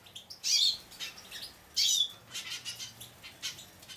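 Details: Juvenile hooded siskin x Raza canary mules, nine weeks old, taking a bath; two loud, high, thin chirps about 1.3 seconds apart ring out over steady splashing and fluttering wings.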